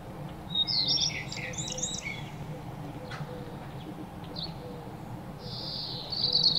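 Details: Playful birds bathing and eating: short high twittering chirps in scattered clusters, a sharp tap around the middle, and a thin sustained high note at the end, over a steady low rumbling background.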